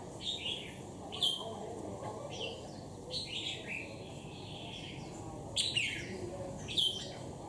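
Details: Caged red-whiskered bulbul, wild-caught and ten days in the cage, noted for bold temperament; sparse, fairly quiet bright whistled phrases with a few sharper accented notes, separated by pauses, faint murmur of voices behind.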